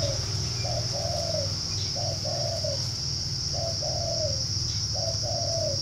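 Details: Spotted dove from northern Vietnam cooing in soft low two-part phrases, a short note then a longer falling coo, repeated about every one and a half seconds, over a steady high insect drone and low rumbling hum.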